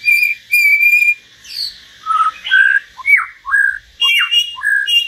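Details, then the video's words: A common hill myna sings solo in loud, clear whistles, with long steady notes and then quick rising and falling slurs in a varied run, with no other sounds behind. "Chim nhồng và choè lửa hót solo"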